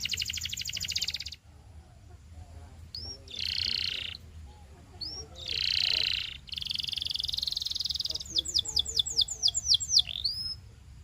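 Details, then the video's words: Belgian canary singing a song used to train young canaries: a buzzy high trill, then sharp rising whistles and long rattling rolls, closing with a rapid run of downward-sweeping notes over a low hum. "SINGING TO TEACH BELGIAN CANARY"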